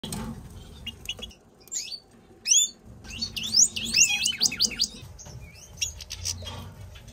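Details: European goldfinch of the major subspecies singing: a quiet, quick twittering burst of high, liquid, looping notes, with scattered chirps before and after over a low background hum.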